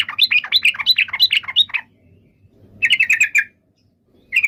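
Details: Yellow-vented bulbul giving a lively stream of bright, warbled chirps for nearly two seconds. After a pause comes a shorter bubbly phrase, then the start of another.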